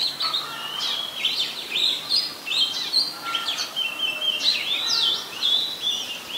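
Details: Oriental magpie-robin, common resident bird of Ubon Ratchathani, Thailand, singing in late December 2020: rapid series of looping whistled phrases, about two notes per second, rich and varied, with soft environmental noise behind.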